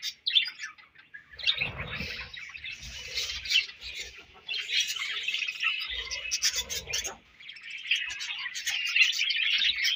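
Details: Budgerigars during feeding and food exchange: a harsh squawk opens, then uneven bursts of high, buzzy chattering chirps with gaps and some low thumps between phrases.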